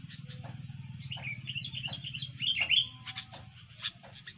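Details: Sooty-headed bulbul singing energetically when disturbed, in fighting mood: fairly quiet, fast chatter of chirps and liquid whistled slurs, with a steady low hum throughout.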